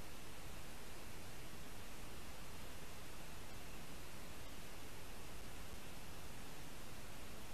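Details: Faint, even hiss of static throughout, with no animal sounds.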